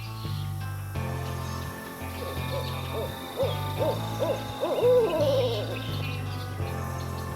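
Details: A Barred Owl, the "hoot owl", highly territorial year-round, calls in a Louisiana swamp: a run of arching, wavering hoots rising and falling mid-stretch, over a steady low hum that may be music.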